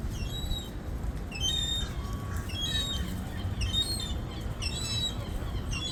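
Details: Food-begging gull: shrill harmonic squeals in uneven bursts, some notes rising then falling, over a low rumbling background.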